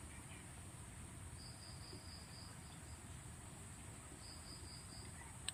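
A young blue-eared kingfisher gives two quick runs of thin, high, piping notes, about five per burst, over a steady shrill insect drone and low rumble.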